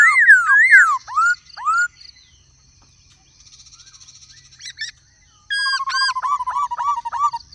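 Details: Black-throated laughingthrush singing in many voices with a female calling: quick looping slurred whistles, a quiet pause with faint chatter, then a burst of sharp high notes over a fast pulsed trill.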